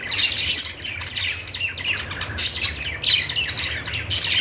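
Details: Budgies chirping with bright, high whistled squeaks among fast twittering chatter from several birds, pulsing in short bursts, over a faint low hum.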